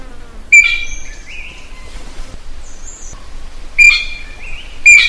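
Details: Wild common green magpie calling for a mate, giving loud calls that each open with a harsh rasp and settle into a bright, level whistle, followed by shorter slurred notes. Quieter faint whistles and low background noise fill the gaps.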